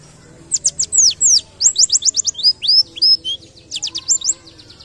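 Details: Ngalas-style white-eye song with canary-like bursts from a masteran tutor recording: rapid runs of high, steeply falling whistles, a few rising slurs, then scattered sharp notes, with a low steady hum behind.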